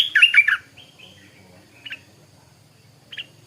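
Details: Little Stripe-throated bulbul decoy bird in a cage in the morning: a quick burst of bubbly notes, followed by two single short chirps spaced apart.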